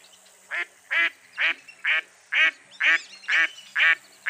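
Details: Loud, evenly paced quacking of a mottled duck, nine harsh nasal notes about two per second, each short and buzzy with a steady rhythm.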